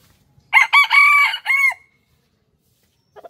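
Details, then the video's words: Male chicken giving a loud, clear crow in four joined parts, the long middle part held steady and the last part falling away, set against near silence. "rooster crowing sound effect | rooster crowing compilation"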